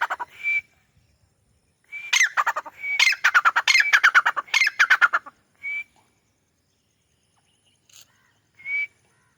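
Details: Grey francolin, or white teetar, calling from a wall in Pakistan: short high whistled notes frame a loud burst of rapid harsh pulsed phrases lasting about three seconds, then isolated whistles return against a quiet background.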